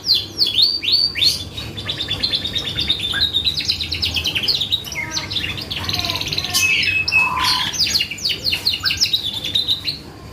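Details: Canary in vigorous song played as a lure to make other birds respond: dense, varied phrases of quick descending sweeps, buzzy trills and clear whistled notes, some lower squeaky chirps midway, continuous and loud throughout.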